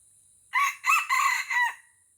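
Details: Red junglefowl from Aceh, lured to a decoy rooster and fighting it fiercely on its first descent. Its crow is short, clipped and harsh, with four distinct syllables in a little over one second: a rising first note, then three grating notes ending abruptly.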